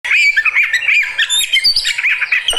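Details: Caged fighter Oriental magpie-robin, a kacer kept in Indonesia, singing in reaction to another bird: loud, rapid jumbled phrases of squawky, chattering notes and sharp chirps, continuous with brief dips, with a few clicks near the end.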